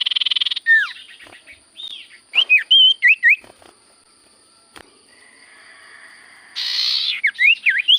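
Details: Caged Common Iora (sirtu cipoh) in lively song: clear whistled notes sliding up and down, a short buzzy burst at the start and another near the end, then quick rising and falling whistles after a quiet gap.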